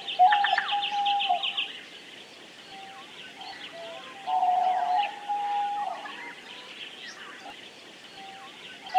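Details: Diamond dove with long, level, mid-pitched coos at the start and again in the middle, over busy high trills and chirps from other small birds.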